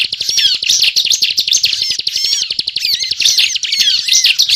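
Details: Ciblek singing continuously in gacor ngebren fashion for luring birds to traps: hurried high chirps and curling whistled phrases crowded together in an unbroken stream.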